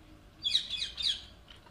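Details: Captive Alexandrine parakeets playing and fighting over toys indoors; one gives two harsh, high-pitched squawks about half a second apart, over a quiet room background.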